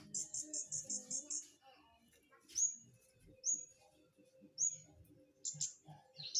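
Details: Flowerpecker in lively voice: a quick series of about eight thin, very high notes over a second and a half, then sharp single high chips spaced roughly a second apart, with faint low murmurs behind.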